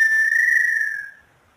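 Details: Inhambu sururina of Brazil, also known as inhambu pé roxo: a single pure, flute-like whistle held steady and then dropping gently in pitch as it fades out.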